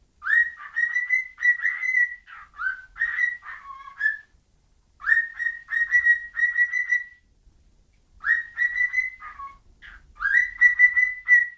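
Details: Bird whistling: clear whistled phrases near one steady pitch, some notes rising or dipping, in bursts of about two seconds separated by short pauses, with a faint low rumble underneath.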